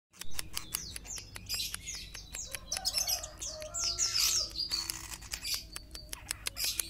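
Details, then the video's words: Long-tailed shrike of the Sapudi type, a varied song of sharp chirps, high whistled slurs and short buzzy notes, with many dry clicks throughout and low background hum. "Cendet SAPUDI"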